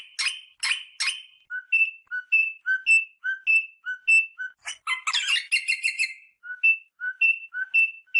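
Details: Rosella singing, played to stimulate mating: clear whistled notes alternating between a lower and a higher pitch, repeated about every half second, broken by bursts of harsh rapid chattering.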